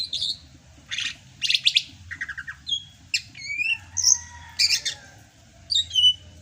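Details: Greater green leafbird from Sumatra in the rainy season: a mix of buzzy, scratchy bursts and clear whistled notes, including a long thin descending tone, in a varied, lively sequence.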